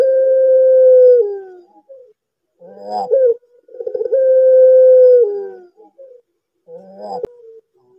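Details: Barbary dove calling, its voice used as a lure to make other lazy doves call. Two long drawn-out level coos, each dropping at the end, separated by short rolling, stuttering notes, repeated roughly every four seconds.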